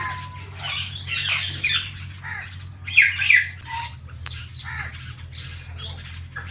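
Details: Indian ringneck parrot with a blue ringneck companion indoors, giving harsh, squawky chirps and scratchy notes in irregular bursts, loudest around the middle, over a steady low household hum.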